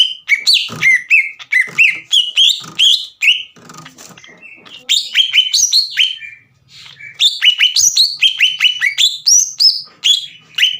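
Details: Green leafbird singing hard, played to provoke a rival into emotion and continuous song: dense, rapid sequences of bright whistled and chipping notes, often sliding downward, in two long runs separated by a brief lull.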